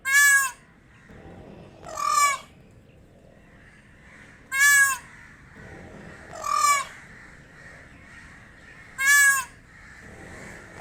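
Peacock giving loud, harsh, nasal wailing calls in pairs, five calls over about eleven seconds, over a faint steady background hum.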